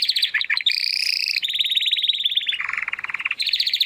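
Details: A young Spanish Timbrado canary, Classico style, trying to find its full song, sings continuous rolling, water-like trills that shift between higher and lower tours, with one deeper, throaty rolled passage near the middle.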